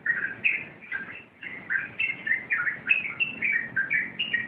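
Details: Rapid rompelan song of a sooty-headed bulbul: lively, slurred whistles and chirps strung into short pulsing bursts, repeating steadily with brief dips between them.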